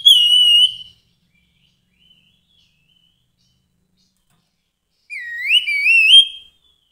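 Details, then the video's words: A vocal Grey-headed babbler gives two whistled phrases: a short level whistle, then after several seconds of quiet a longer wavering whistle that rises in steps. "Kicau Burung Tepus Kepala Kelabu Gacor"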